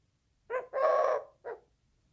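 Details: A single coo from a Eurasian collared dove, in three parts: short opening note, sustained central note, clipped ending note.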